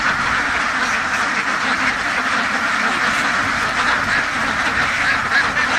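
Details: Ducks kept in a farm duck house make a continuous roar of overlapping quacks. The crowded chatter holds level throughout without pauses.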